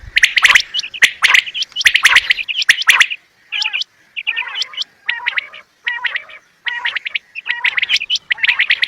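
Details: Quail (bater), from a bird-hunting recording: dense bursts of sharp chirps and upswept notes for about three seconds, then spaced clusters of short chirps with lower rising notes, repeated roughly every second.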